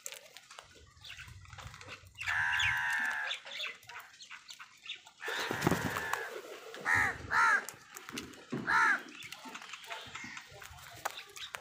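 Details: Crows fighting for food, one angrily tearing a leaf: a long drawn-out harsh caw, then bursts of rustling and several short, nasal caws repeated close together, over steady background noise.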